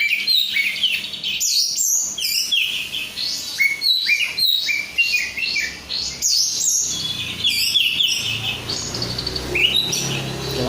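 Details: Oriental magpie-robin of Korean strain, a kept songbird, giving a long lively song of sweet whistles, upswept notes and dry rattles, with a low hum rising toward the end.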